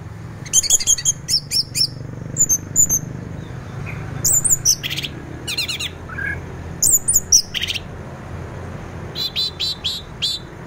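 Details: 'Teler' song of an orange-headed thrush, played in the morning to stimulate other thrushes into singing: rapid high-pitched chirps and sweeping whistles in repeated clusters, nearly continuous across the recording over a steady low rumble.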